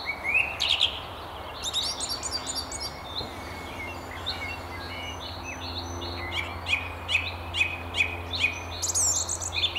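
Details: Song thrush perched at the very top of a tree along the River Tyne near Haddington sings loud, varied bursts of clear whistles and sharp chirpy notes, phrases coming in quick clusters, over a steady low background hum.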